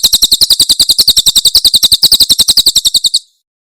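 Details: Tembakan-style Javan prinia song from Cililin, played to train songbirds: a steady burst of sharp high chips, roughly three or four per second, lasting about three seconds and ending cleanly in silence.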